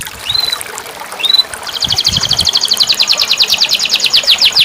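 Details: Caged canary played as a song-therapy track for a canary that has stopped singing: two short whistled upslurs, then a fast, even buzzy trill of rapid repeated notes running about three seconds.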